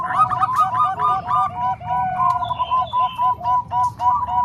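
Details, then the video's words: Zebra doves, Bangkok and Cemani Kolbuntet strains, mixed together as a tutor recording for other doves: clear, evenly pulsed cooing phrases of bouncy notes in steady rhythm, with a brief higher chirp in the middle. "Suara Kombinasi Perkutut Bangkok Dan Cemani Kolbuntet|Untuk Masteran Semua Jenis Perkutut"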